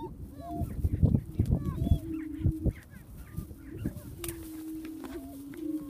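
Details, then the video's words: Prairie chicken booming with short low drawn-out hoots and a longer steady drone near the end, brief higher whoops scattered throughout, and gusty low rumbling in the background. "Prairie chicken booming"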